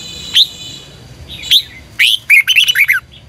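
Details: Red-whiskered bulbul competition-style singing, used as a lure to train birds to sing in the morning. Two separate bright whistled notes, then a rapid run of rich, warbling, downslurred notes lasting about a second.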